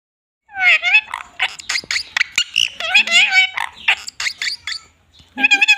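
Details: Female talking parrot, described as sounding just like a small child, giving rapid, nasal, cat-like mews in quick bursts. Harmonic calls rise and fall, about two per second, followed by a short pause and a final bright burst.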